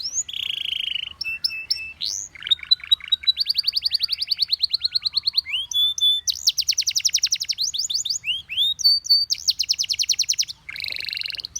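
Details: Canary singing a varied song: a buzzy opening note, then long rapid trills of repeated high chirps, sweeping whistled notes and fast rolling phrases, with short pauses between sections.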